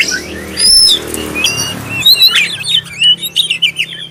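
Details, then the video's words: Black-breasted oriental magpie-robin lure song, meant to start other magpie-robins singing: a few high whistles over steady background noise, then a run of quick, repeated, warbling whistled notes toward the end. "suara pancingan kacer dada hitam suara jernih"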